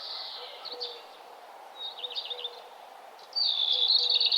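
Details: Morning birdsong on a nature trail at sunrise; high warbling notes open, a short quivering phrase follows, then a loud sustained rapid twitter ends the clip, with faint background hiss.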